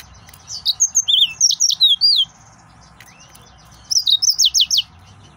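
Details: An excited male yellow-fronted canary sings a long run of high warbled whistles and rapid trills lasting about two seconds, a short pause, then another quick burst of repeated trilled notes.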